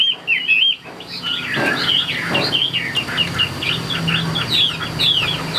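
A Chinese hwamei sings a rich, fast run of varied whistles and warbled phrases, rising and falling without pause, with a low hum beneath.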